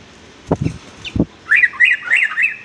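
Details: Sooty-headed bulbul used to train young males in varied song: a few low knocks first, then a lively sequence of five warbled, up-and-down whistles.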